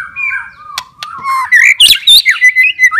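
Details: White-rumped shama, a kept bird, giving a wavering low whistle that rises into a burst of harsh, squeaky notes, then a string of quick, evenly spaced chirps.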